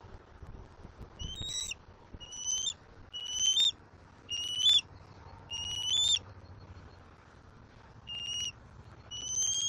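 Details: Young bald eagle on its Southwest Florida nest in April 2024, squeeing while claiming prey from its father and wanting to be fed. About seven shrill, whistled squeals with a rising twist arrive at uneven intervals. A low rumble runs underneath.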